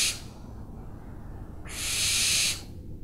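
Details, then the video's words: Owl screeching: the tail of one hiss at the start, then a full rasping, breathy screech of almost a second, with low background rumble. "OWLS SOUNDS"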